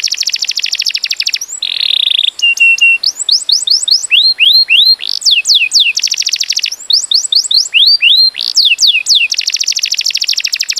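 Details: Training song of a canary for tutoring other birds, mixing buzzy rapid trills, a steady held tone, and series of bright swooping whistled notes rising and falling in quick succession.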